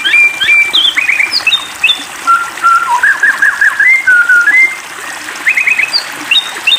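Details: Shama lure recording meant to trigger singing: a rich medley of whistles, chips and short trilled bursts at varied pitches, with a faint trickling background.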